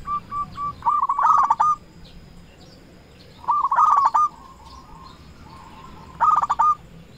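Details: Local zebra dove calling rivals as a decoy: short runs of soft coos that speed into a dense trilled flourish, repeated three times at roughly two-second gaps, with quiet background hiss.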